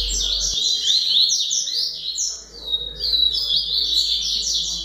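A Rusty-collared seedeater pours out a fast, high, twittering song of bright chirps and slurred whistles, running almost without pause.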